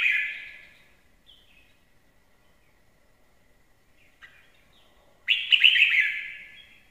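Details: Red-whiskered bulbul singing, described as a good singer: a loud bright warbled phrase around the start, then near-silence with faint chirps, and another rich, rolling burst of notes late in the clip.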